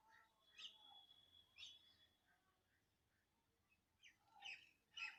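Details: Birdsong in Andhra Pradesh, India: soft chirps and a thin sustained high whistle early on, then quieter spells before louder sharp chirps near the end, against faint background noise.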